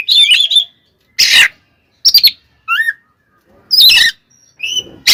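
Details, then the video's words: Oriental magpie-robin 'ngeplong' fighting song used to anger other magpie-robins: a twittering phrase, a harsh raspy burst, stuttered notes, a downslurred whistle, then more rasps and high thin whistles. "SUARA BURUNG kacer gacor TARUNG KONSLET nembak ini AMPUH buat PANCINGAN KACER agar EMOSI SEKETIKA"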